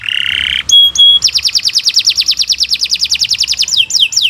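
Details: Canary with long, vigorous song, offered as master material for training birds: a low buzzy note, two clear ringing tones, a long rapid trill of even pulses, then falling whistled sweeps.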